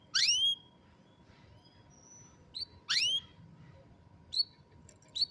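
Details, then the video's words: Canary song captured by cellphone: two loud, harmonic-rich notes sliding steeply downward about three seconds apart, separated by soft twitters and brief high chirps, over a quiet hum. "الكناري بالتأكيد ستحب غناء الكناري الجميل هذا Canary Singing"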